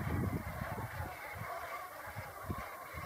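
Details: Brent geese going to roost give low, guttural honking calls in quick, uneven bursts, several birds overlapping against a steady background rumble.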